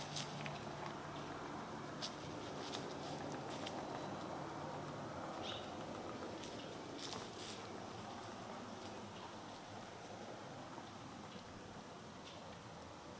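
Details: A Japanese pygmy woodpecker excavates a new nest hole in a willow in Kyoto on 18 March 2021, with a second bird nearby: sharp, dry taps in short irregular bursts under a steady hiss.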